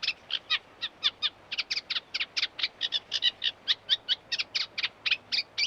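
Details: Eurasian reed warbler (Acrocephalus scirpaceus), song.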